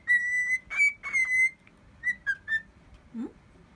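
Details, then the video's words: A cockatiel whistles what sounds like a horse-racing fanfare: three clear sustained notes, then a run of shorter rising and falling whistles over faint room noise. "オカメインコさくら 競馬ファンファーレ？？"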